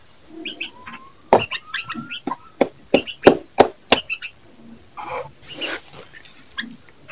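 Young bulbul giving a quick, uneven run of harsh, raspy chirps, about three a second, with a few thin whistled notes mixed in and faint clicking noise.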